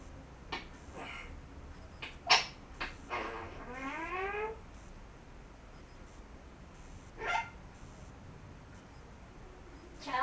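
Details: Grey parrot kept as a pet indoors, showing its repertoire: scattered clicks and sharp snaps, then a drawn-out, harmonic, meow-like wail that bends upward, and a later upward-swept squeak, over constant background hiss.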